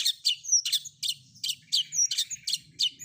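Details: Long-tailed shrike combination fill-in song intended to provoke replies: repeated harsh, buzzy chattering notes about three per second, with thin high whistles woven between.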